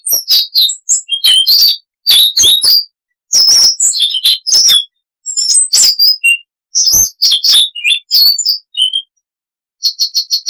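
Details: Varied chattering song of a Siberian rubythroat, a small insectivorous songbird: dense runs of high scratchy chirps, clicks and whistles in phrases, ending with a quick series of evenly spaced high pure notes.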